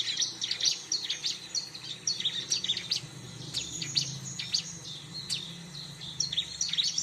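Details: Dense, lively Bar-winged prinia chirping for bird luring, high squeaky notes tumbling one after another with hardly a pause, steady throughout, some low background rumble.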